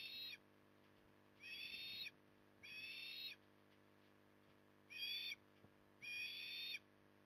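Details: Osprey at Port Lincoln, Australia, 9 October 2020, calling while feeding in the evening: five high, whistled bursts of about half a second, spaced irregularly over seven seconds.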